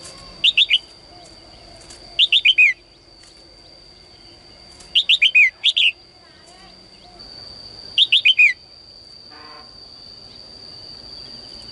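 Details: Morning singing by a caged female bird urging males to sing more: four spaced clusters of rapid falling whistles, roughly every two to three seconds, with a steady high electronic tone and faint background noise.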